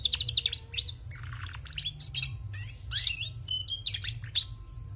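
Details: Song of a female canary in full voice, dense high warbling with fast rattling trills, sharp rising chirps and short clear whistles, delivered almost without pause over faint low hum.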